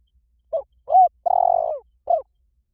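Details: Spotted dove lure call from Vietnam: a soft, low coo phrase of four notes. Two short notes lead into a longer, slightly wavering coo, then one short note closes the phrase, in silence.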